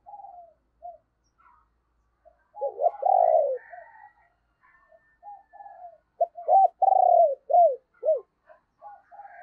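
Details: Decoy spotted dove cooing to lure wild doves in the morning: two loud phrases of short clipped notes, a long vibrating purr, then falling slurred coos, with fainter distant cooing and soft higher chirps between.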